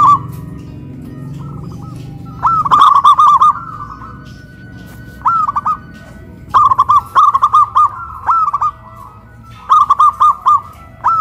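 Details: Local zebra dove from Kuningan, West Java, cooing loudly from a cage lifted up a pole, in a big-voice versus crystal-voice duet; repeated stuttering coo phrases every second or two, low rumble early on.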